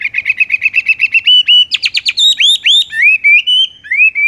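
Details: Horsfield's bush lark delivering 'tung roll gantung langsung ngerol' song: a fast trill of short whistles, buzzy notes, sharp upswept notes and a few slower rising whistles, all loud and continuous.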